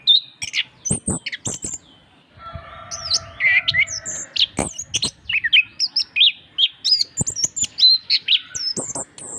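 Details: Energetic orange-headed thrush song used as master material to encourage silent birds: rapid high whistles, upward-curling notes and scratchy chatter in bursts, a short pause near the start, with a low steady hum behind.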